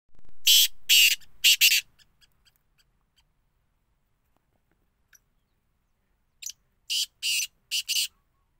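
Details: Black francolin giving harsh, grating, high-pitched notes in two bursts: a rapid series of four rasping blasts, a quiet pause with faint ticks, then another series of four loud grating notes.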